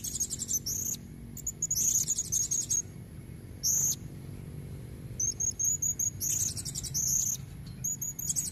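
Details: A female blue-crowned hanging parrot calls to lure males with red necks: bursts of quick, very high, squeaky twittering notes alternate with single sharp chirps, over low background rumble.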